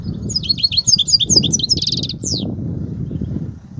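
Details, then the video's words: Goldfinch kobia song: a rapid string of high, bouncy twittering notes, then a buzzy trill and a sharp descending slur, followed by low rumbling background. "الحسون,- لغة الكوبيا الرائعة"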